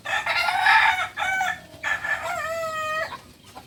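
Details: Beginner Balenggek rooster, a native chicken from Solok in West Sumatra, giving a loud stepped crow in several linked segments, each bright and harmonic, ending in a steady held note that drops away.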